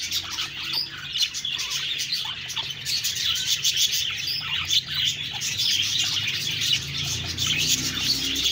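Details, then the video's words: Several budgies keep up busy, overlapping chirps and warbled chatter, high and constant, with a faint low hum underneath. "Budgies Birds talking sound Birds chirping sounds"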